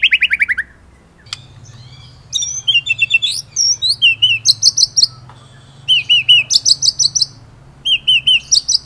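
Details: Energetic white-rumped shama song in masteran material with ngerol and nembak phrases: a quick descending trill, then high looping whistled notes in grouped bursts, some sharp and rising, with brief gaps. A low steady hum runs beneath.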